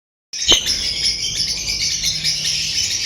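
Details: Caged lovebirds giving a dense, continuous high-pitched chattering of shrill chirps and twittering notes, starting after a brief silence with one sharp click.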